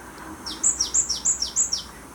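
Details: Typical Japanese tit song recorded in Gwangju, South Korea: a run of five high, sharp two-syllable phrases, each a piercing whistle dropping to a lower note, delivered evenly about every quarter second against faint background hiss.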